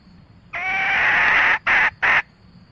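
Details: Male and female red junglefowl calling to the flock, used as a trapping lure: one long, loud, harmonic call lasting about a second, followed by two short matching bursts, over a quiet background.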